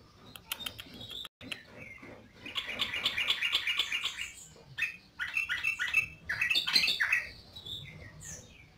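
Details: Yellow-vented bulbul in full song, delivering rapid bursts of bubbly, liquid chattering notes in several phrases separated by brief pauses, with sharp clicks early on.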